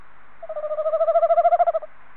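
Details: Near its nest box on 21 February 2015, a male tawny owl utters one long trembling hoot, around 1.4 seconds of quick even pulses rising in strength and fading out, against a quiet backdrop.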